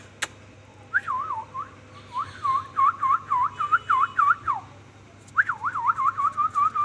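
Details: Ringneck parrot whistling a long run of quick, even up-and-down wavy notes, about three per second, pausing briefly, then starting a second wavering run, over a faint low hum.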